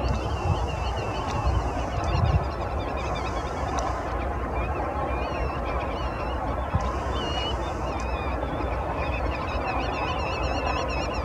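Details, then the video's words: Common Shelduck at Landje van Geijsel, the Netherlands, in April 2020, giving nasal, honking calls over a steady rush of wind, with high twittering and whistles of other birds throughout. "Common Shelduck/Bergeend"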